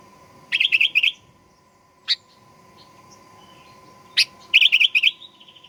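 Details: Lure recording of a sooty-headed bulbul meant to make a bird sing aggressively: two rapid chirping phrases with a couple of sharp clicks between them, a steady faint hum beneath.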